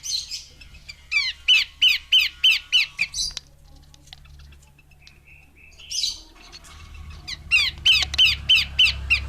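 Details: Female Horsfield's babbler: a rapid run of loud, harsh downslurred notes, about three per second, then a pause, a short scratchy burst and a second similar run of repeated chattering notes.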